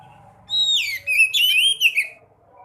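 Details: Sekoci, a swallow, in a recording meant to make caged birds sing: a clear high whistle drops into a fast run of twittering, warbled phrases lasting about a second and a half, with a soft low hum underneath.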